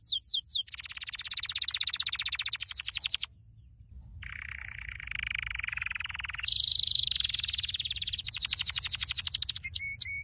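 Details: Canary training song: long rapid rattling trills broken by a short silence, then lower buzzy rolls, a bright sustained trill and closing chirps.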